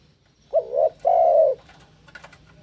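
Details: Spotted dove in breeding condition, singing vigorously to challenge a rival: two low, mellow coos, a short one then a longer sustained note, followed by faint clicking noises and quiet background.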